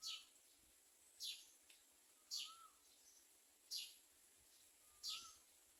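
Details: Common myna feeding its young. Piercing high chirps slide downward, repeated every second or so, between faint rising whistles at a lower pitch against a quiet background.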